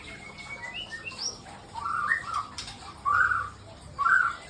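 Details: Male white-rumped shama kept at a breeding farm, singing in the morning: short whistled and warbled phrases, some sliding upward, given in bursts with pauses between them, with a few thin high notes near the start.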